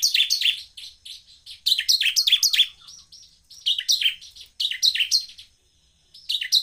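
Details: Semi-crystal bar-winged prinia, lively calling, used to provoke other prinias into singing: bursts of rapid, sharp high chirps and descending notes repeated in quick clusters, separated by short pauses, with faint low background hum.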